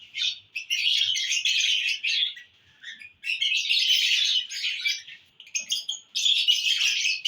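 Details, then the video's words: Happy lovebirds, June 1, 2022: long stretches of dense, shrill chattering chirps, each lasting one to two seconds, separated by brief pauses. "love birds in happy mood"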